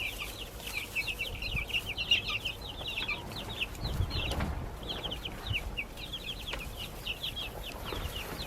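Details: Backyard baby chicks give quick, repeated high chirps in a steady stream, with a low rustling thud partway through.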